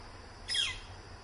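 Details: At close range, a northern flicker gives one short, rasping call that falls sharply in pitch. Recorded near 10 am with a constant high hiss and soft low-frequency rumble underneath.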